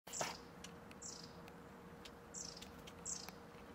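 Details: Long-tailed tit (Aegithalos caudatus) in a home garden in Ljubljana, Slovenia, 31 January 2024: four very high, thin, short calls about a second apart, over a faint steady hum.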